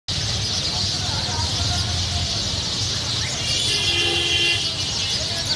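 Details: Thousands of sparrows at their roost make a dense, unbroken wash of high chirping over steady traffic rumble, with a car horn sounding midway.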